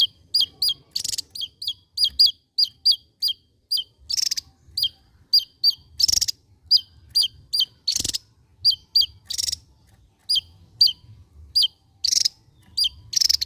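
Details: Java-endemic Javan white-eye in full gacor ngebren song: quick runs of sharp high downslurred chips broken by loud dense buzzy rattling bursts, the rattles recurring every few seconds.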